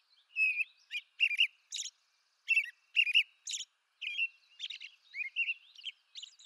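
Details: American robin singing in eastern North America: short whistled caroling phrases, rising and falling, delivered in bursts with brief pauses, some phrases ending in a thin higher squeal; no other sounds.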